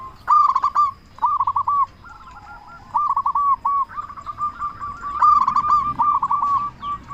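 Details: A loud local zebra dove sings to draw replies from other doves. Choppy, bubbling coo phrases repeat in quick succession, ending in a longer, almost continuous rolling trill of coos.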